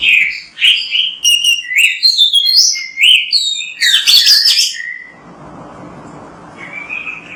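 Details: Oriental magpie-robin (kacer) in vigorous song for training other birds: about five seconds of fast, varied whistles and sweet chirps with shifting pitch, then a pause with low background hiss and a faint closing whistle.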